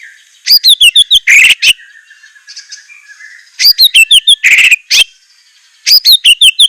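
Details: White-rumped shama (murai batu) singing fierce, rich filler song: bursts of rapid high whistled notes and sweeping slurs, interspersed with short harsh rasps, in three loud phrases separated by quieter gaps.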